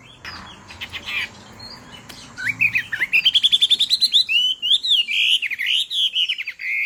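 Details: Female Chinese hwamei song meant to excite the male into singing: soft scratchy notes at first, then a rapid string of rising whistled notes flowing into looping, warbled phrases.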